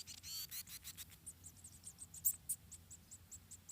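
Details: Munia chicks in a wild Indonesian nest, about four, beg during feeding by the mother: a loud burst of rustling and scratchy notes opens, followed by steady high-pitched squeaks.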